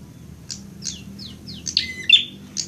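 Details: Prinia in fighting mode: a quick series of thin descending slurs leads into loud, harsh, piercing chirps with a brief steady whistle.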